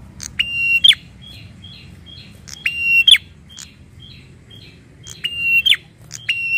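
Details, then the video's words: Prinia said to be worked up and angry, alternating strong buzzy drawn-out notes ending in sharp flicks with a run of brief, soft, evenly spaced chips. "BIKIN PRENJAK EMOSI DAN NGAMUK !!"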